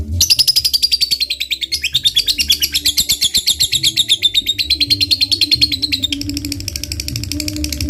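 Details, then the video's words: Lovebird used to provoke rivals, delivering a long, fast chattering trill of high repeated notes that runs for several seconds before fading, over a low background hum. "LOVE BIRD FIGHTER GACOR NGEKEK RAJIN,pancingan lovebird paling cepat di respon musuh"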